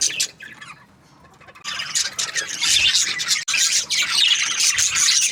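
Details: Budgerigars in breeding pairs: a few sharp chirps at the start, a near-quiet second, then a loud wash of overlapping squawky warbling from many birds.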